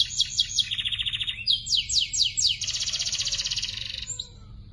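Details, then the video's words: Young canaries in full song, meant for training other birds: quick trill, lower buzzy rattle, four loud descending swoops, then a long even high trill fading out. "KUMPULAN SUARA BURUNG KENARI GACOR (MASTERAN KENARI ANAKAN)"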